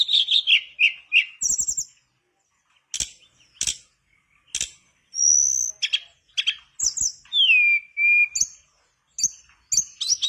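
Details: Mangrove blue flycatcher in full song to stir a silent bird to sing: fast high twittering phrases, a long slurred whistle falling steeply then levelling, mixed with loud sharp clicks and knocks.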